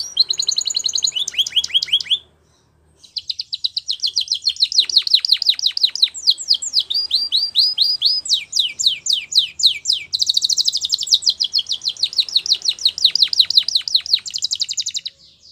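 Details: Champion Belgian canary song for training: long energetic song of rapid trills, sweeping notes and buzzy rolls, broken by one brief pause early on.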